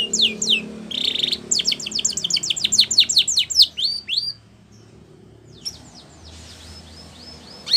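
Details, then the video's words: Spanish Timbrado canary singing for training, opening with sweeping chips and a buzzy roll, then a fast rattling trill of descending notes that fades into a quieter stretch with faint scattered notes. "Canary's Most Powerful Song For Training"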